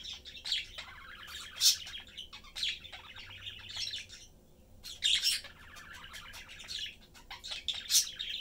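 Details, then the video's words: Caged budgie family of parents and a youngster chatting and feeding together; busy scratchy warbling with sharp high chirps and squeaks in bursts, a brief lull midway, then renewed chatter. "Sunday cute Budgie/Parakeet family lives, chatting, having fun and eating."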